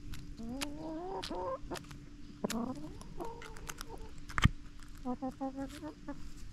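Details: Backyard chickens clucking, soft upward-sliding notes in small groups, one quick series of short pulsed clucks near the end, with a sharp knock midway and a person laughing afterward.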